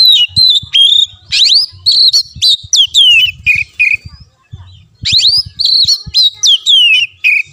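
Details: Caged-bird training song of an Oriental magpie-robin, played to make a silent kacer sing: rapid run of sharp whistles and upward-hooked notes, a brief pause around the middle, then another dense burst of varied whistles; faint low thumps behind.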